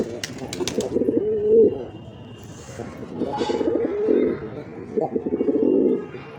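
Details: Black pigeons calling: three bouts of low, bubbling, rolling coos about two seconds apart, with faint clicks and light background noise between them.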